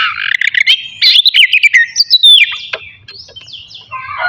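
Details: Oriental magpie-robin singing loudly in the ngeplong style as a morning lure for other magpie-robins. Rapid chattering notes lead into clear sliding whistles, then softer, scattered phrases.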